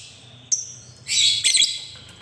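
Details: Lovebird sound meant to prompt young lovebirds to sing and learn the ngekek trill: a sharp high chirp, then two loud harsh squawky bursts about half a second long, over faint low hum.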